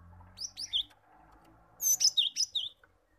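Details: Cinereous tit song used to stimulate untrained caged birds to sing and trill: rapid series of high, clear whistled notes, rising slurs then swooping V-shaped notes, a short phrase followed by a longer, louder run.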